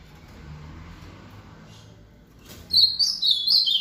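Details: Ultramarine grosbeak singing the rally song after an outing: after near silence, a loud burst of clear, high whistled notes that step up and down in quick succession over the last second.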